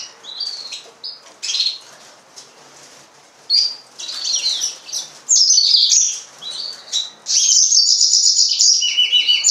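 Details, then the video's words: Yellow-fronted canary: scattered faint chirps at first, building into loud high trills and rapid twittering phrases in the second half. "mozambik kanaryası, green singer, serinus mozambicus"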